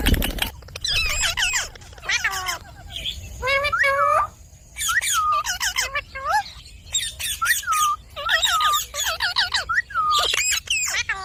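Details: Indian ringneck parakeet giving repeated raspy squawks and chattering phrases, each ending in a downward whistled slur, in bursts roughly every second with short silent gaps.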